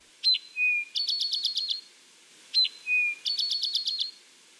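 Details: Eastern Towhee, a large sparrow of central and eastern US backyards, singing its spring drink-your-tea song twice: a sharp high note, a lower slurred note, then a bright rapid trill, about two seconds apart.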